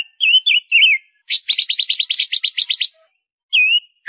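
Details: A female Gouldian finch, a decoy bird, singing: a few thin, wavering whistles, then a quick run of about a dozen dry, buzzy ticks, ending with another slurred whistle.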